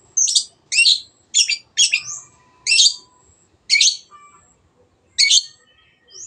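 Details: Long-tailed shrike used as a lure to make other birds sing: harsh, raspy, buzzy notes given roughly once a second, each short and grating, with faint thin whistles between them.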